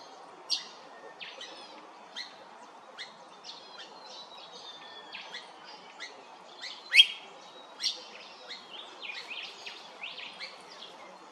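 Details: Blue-faced honeyeater (Entomyzon cyanotis) at Hervey Bay, Queensland, calling with sharp, high chirps and short slurred whistles at an irregular pace, one or two each second, over a steady low hiss.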